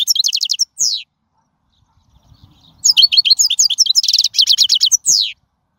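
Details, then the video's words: Wild European goldfinch song for tutoring young birds, two bursts of fast, high tinkling twitters separated by a pause, each with rapid trilled runs and ending in buzzy descending notes. "من أقوى اغاني | طائر الحسون | البرية"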